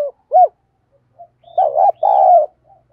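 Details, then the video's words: Spotted dove used as a decoy, calling to draw in wild doves: a short clipped coo, a pause, then a rolling stuttered coo running into a long, loud, low, even-toned coo that fades out. "Chim Cu Mồi Thúc Gù Bài Bản Sung Chuẩn Kích Bổi"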